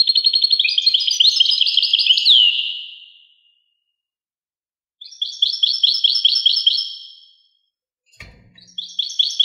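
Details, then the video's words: European goldfinch (Carduelis carduelis) singing: a bright, tinkling, high twittering phrase of rapid trilled notes that ends in a downslurred whistle, then a pause and a second twittering burst, with a brief click near the end. "song Carduelis carduelis pure and Nice-Birds The song"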